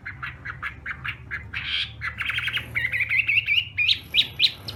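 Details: Chinese hwamei in a morning singing contest, with short repeated chattering notes, rapid trills, and a brief run of whistles, fairly quiet against steady background noise.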